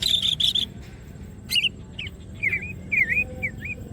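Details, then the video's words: Greater green leafbird opening its wings in gacor song, kept as masteran material: two buzzy trills, then a pause, then a chain of soft looping whistled phrases, each short and curling. "green cucak birds open wings siip and gacor materials"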